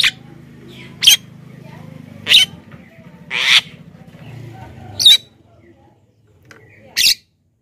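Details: Black-winged myna lure call to attract wild birds: harsh, hissing screeches repeated roughly every second or two over a low humming background that fades near the end.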